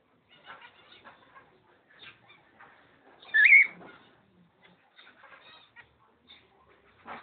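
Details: From a pair of cockatiels, dated 05.06.11, a single strong rising, wavering whistle in mid-recording stands out over soft continuous twittering and small clicks.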